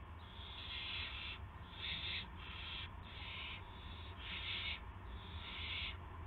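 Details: Owl, 18 March 2016 at 8 PM, gopher brought to the nest: repeated coarse hissing screeches, roughly one each second, uneven in length, with steady hum underneath.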